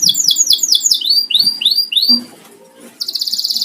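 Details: Canary kept at home as a house bird, not a competition bird: fast series of high curved sweeping notes slowing into spaced slurred syllables, a short quiet gap, then a bright rolled trill.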